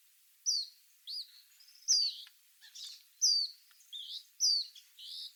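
An Eastern Phoebe gives high, sharp paired notes, a quick falling chip then a buzzy burr, repeated about every second against a quiet background.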